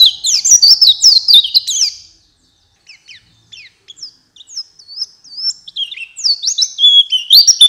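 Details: White-eye song used as a training recording for night and morning: fast bursts of high, sweet, slurred twittering notes, a pause of about a second, then the rapid chattering warble resumes.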